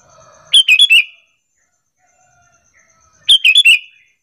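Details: Sooty-headed bulbul lure call, played to draw other bulbuls into answering and calling back and forth. Two bright, quick phrases of four chirpy notes each, about three seconds apart, with near silence between.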